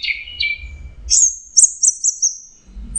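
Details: In teler song, an Orange-headed thrush gives two lower whistled notes, then a long high whistled stroke broken by four quick rising accents, with faint low thumps.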